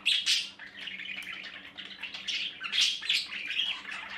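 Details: Baby budgerigars in a nest making a continuous stream of harsh, wheezy chirps that rise and fall in intensity, over a low constant hum.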